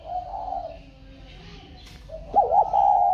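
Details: Spotted dove, newly bought by a customer and placed in a box, still calling as usual: a steady mid-pitched coo, then a quick wavering burst and a longer sustained coo, in a quiet indoor setting.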